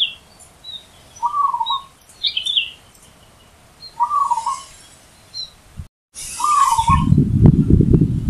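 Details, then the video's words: Wild zebra dove singing loudly: a rolling, trilled coo repeated three times about every two and a half seconds, with thin high chirps from other small birds between phrases and a burst of low rumbling noise near the end. "Perkutut Di Alam Bebas Suara KERAS Menghentak"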